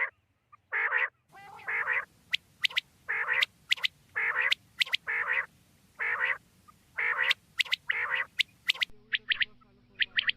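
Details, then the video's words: Quail lure call for night hunting: grating double and triple bursts repeated steadily about once a second over a low background hum, with sharp clicks between them. "Quail sound for night"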